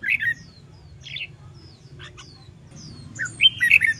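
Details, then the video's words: Red-whiskered bulbul in contest-song training. A short warbled phrase opens, a brief chirp and thin high whistles follow, then a fuller run of quick, bright, slurred notes closes the recording over a low hum. "LUYỆN CHÀO MÀO HÓT ĐẤU/ BỔI NHANH MỞ MỎ SỔ GIỌNG/ CHÀO MÀO HÓT VUI MỖI NGÀY"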